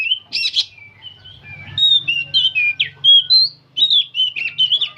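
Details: A long unbroken run of song from an old oriental magpie-robin that sings nonstop: sharp, varied whistled notes and trills follow one another quickly, over a faint low hum.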